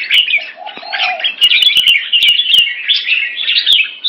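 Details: Caged red-whiskered bulbuls kept in Singapore during a rotational sparring display give a fast, dense stream of bubbly chattering and warbling notes, with sharp clicks and a brief lower whistle.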